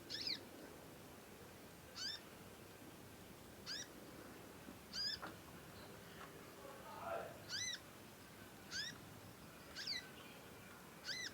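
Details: Juvenile conin songbird learning to sing, keeping up long calling. Short, clear, downward-sweeping chirps come about every one to one and a half seconds. A faint murmur is heard in the background.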